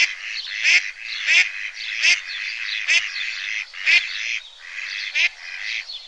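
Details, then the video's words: A duckling in a pond gives drawn-out, raspy quacks, each broken by sharper clicks, spaced irregularly about once every second or so. "Duck sound - duckling in the pond - duck quack"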